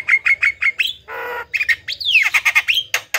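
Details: Javan myna singing loudly, meant to coax silent or lazy mynas into calling: quick chirped notes, a short harsh rasp, then a downward-sweeping whistle and more rapid chirps.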